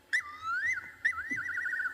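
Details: A Fiery-necked Nightjar calls at night on an African safari: clear, liquid whistles, a drooping then rising slur, then a quavering, wavering note, over a low hum.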